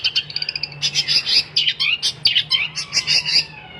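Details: Energetic long-tailed shrike song with quick, buzzy high chatter, a run of evenly spaced short notes at the start, then rasping bursts and occasional falling whistles, against a steady low background hum.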